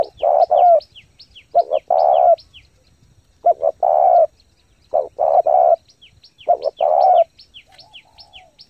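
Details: Spotted dove lure calling in fast 'thúc gù' style to excite decoys and train new captives: about six mellow coo phrases, short notes leading into longer ones, over a steady series of thin falling chirps from another bird.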